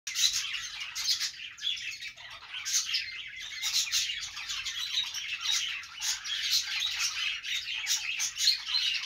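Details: Budgerigars chattering together, a dense, continuous warble of overlapping high chirps and scratchy squawks with short bright tweets scattered through; no other sounds stand out.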